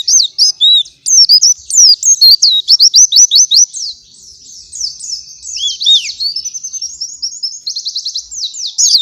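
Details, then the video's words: White-eye singing a gacoran in the morning, used as a master song for other white-eyes: high, rapid chattering of sharp up-and-down whistled notes, with runs of quick repeated trills and a brief softer pause mid-phrase. "Gacoran suara pleci di pagi hari sangat cocok buat masteran pleci lain"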